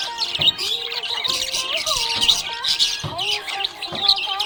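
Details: Happy pet budgerigar chirping: dense, bright, scratchy chirps and warbled notes come in rapid bursts throughout, over steady tonal music in the background.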